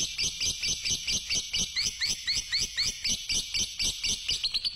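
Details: A fighter lovebird gives a long, fast ngekek run of shrill, high chirps, about two notes per second, in an unbroken rattling trill.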